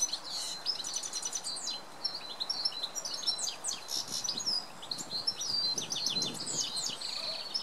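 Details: Male goldfinch singing early in the morning, a continuous high, tinkling twitter of quick notes and brief rattling trills, against steady hiss of background noise.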